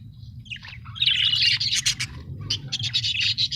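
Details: Happy budgerigars chattering: dense high twittering and buzzy chirps that build into a continuous warble, with a low background hum throughout.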